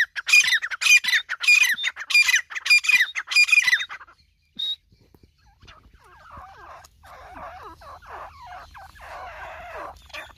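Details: Grey francolin pair duetting in loud, harsh, rapidly repeated squawks for about four seconds, then a short pause; softer, lower, chattering calls from other birds follow, with a faint low hum.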